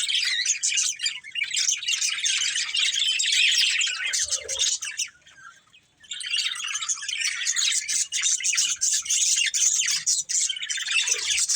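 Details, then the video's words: A family of budgerigars chirping in a long, continuous chatter of overlapping high twitters, broken by a brief quiet pause around five seconds before resuming. "Cute Budgies Chirping Sounds"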